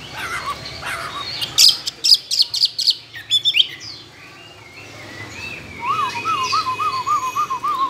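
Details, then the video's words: Caged Chinese hwamei, two years kept, tame with many forest voices: bursts of scratchy chatter and clicks, a pause, then a low, wavy whistled trill repeated in even undulations. "Họa mi thuần nhiều giọng rừng,chim đấu hót tốt"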